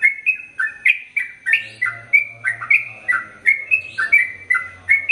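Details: Sooty-headed bulbul pouring out rapid 'ropel panjang' song for use as a tutor recording: clear whistled notes bouncing up and down in pitch, roughly three a second, with occasional buzzier accents.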